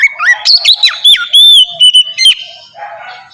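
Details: Melodious 'ngeplong' song of an Oriental magpie-robin, played as a lure so other magpie-robins start singing: sharp falling whistles and trills, then a sustained clear whistled note and scratchy bursts, ending in quieter rasping sounds.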